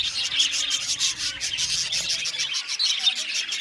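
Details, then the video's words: Many budgies in an aviary colony chirping, a continuous high twittering chatter with quick repeated chirps layered over one another. "Parakeet sound | budgies singing and chirping sounds"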